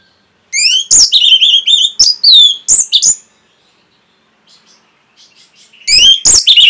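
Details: Orange-headed thrush song made for training caged birds: loud, rich whistled and sharply sweeping notes in quick succession, then a gap of faint high twitters before another strong whistled burst.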